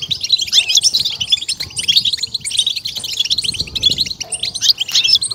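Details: Goldfinch song for stimulating and exciting other goldfinches, a rapid jangling chatter of bright, high twittered notes running continuously.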